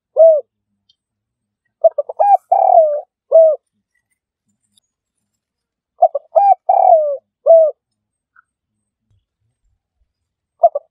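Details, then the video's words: A spotted dove gives soft, low coos in a phrase of about five notes, the middle notes run together, repeated every four to five seconds; used as a trapping lure; nothing else heard. "Dove Audio Trap - សម្លេងលលកបូល"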